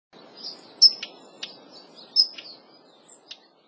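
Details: Daurian redstart calls: thin, high whistled notes alternating with dry, short clicking ticks, irregularly spaced, with a faint background hiss.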